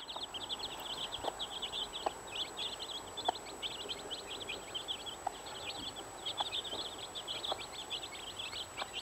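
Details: Hen with 15 chicks; the chicks peep constantly, high and thin in crowded runs, while low short clucks or taps sound roughly every second, over steady background hiss.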